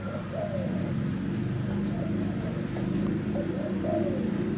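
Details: A cream-pied zebra dove gives soft, low, rolling coos in short repeated phrases, over a steady high pulsing insect-like tone and faint background murmur.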